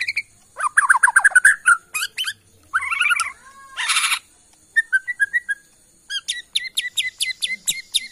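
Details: Borneo white-rumped shama from Kalimantan forest, singing to rouse other shamas: quick rattling note series, a harsh rasp, soft chirps, then a rhythmic run of sharp high ticks.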